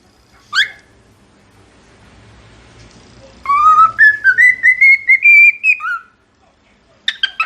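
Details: Cockatiel whistling a tune: one short rising chirp, a quiet gap with low hum, then a string of clear whistled notes climbing step by step before dropping, and a brief burst of sharp chirps at the end.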